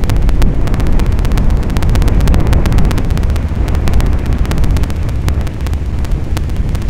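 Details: Heavy wind buffeting the microphone with a low roar and rapid crackling clicks throughout, no animal calls heard.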